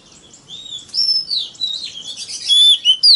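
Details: Oriental magpie-robin singing in the wild forest-voice style meant to lure rivals: softer warbled twitter at first, then louder pure whistled notes and high sweeps toward the end.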